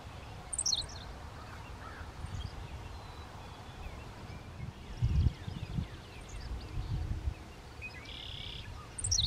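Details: Henslow's sparrow gives its quiet, brief, high, hiccuping two-note "tsee-wick" song, sung by males at or just below vegetation height, over steady low wind rumble.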